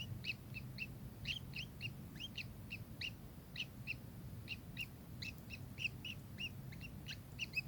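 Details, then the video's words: Rapid, sharp double-toned chirps from a kingfisher repeat steadily throughout, with a constant low murmur underneath. "burung tengkek"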